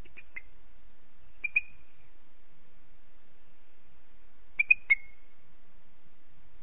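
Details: Booted eagle in Parc Natural dels Ports, 11 April 2021 at 09:10, giving three bursts of shrill, high whistled notes, each ending in a drawn-out falling whistle, spaced a few seconds apart over a low background rumble.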